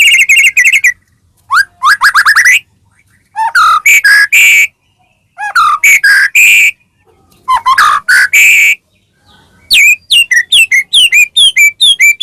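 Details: Caged white-rumped shama song used as a provoking lure for other shamas: rich varied phrases with harsh rattling bursts and descending slurred whistles, repeated in blocks every two seconds, ending in quick sweeping notes.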